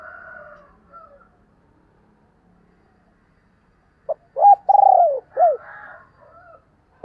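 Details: Decoy spotted dove luring wild doves with one mellow phrase: a clipped note, a long rolling coo and a downward-curving end note, after fainter bird calls in the background.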